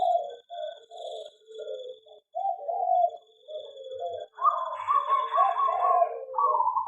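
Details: Zebra dove in an aviary: a chain of short low coos, then a run of rapid, evenly pulsed higher notes overlapping the lower cooing, like a lively bubbling trill, ending in a sustained phrase.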